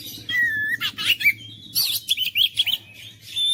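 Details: Oriental magpie-robin song aimed at stirring a mute bird into singing: a level whistle, then clusters of sharp chirps and quick warbling phrases separated by short gaps, over a faint low hum.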